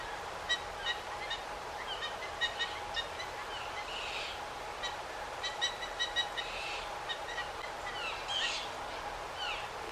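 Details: Backyard Blue Jays mobbing and dive-bombing a Red-shouldered Hawk perched high in a pine tree to drive it off; many short, harsh, repeated calls from several birds overlap on a steady background hum.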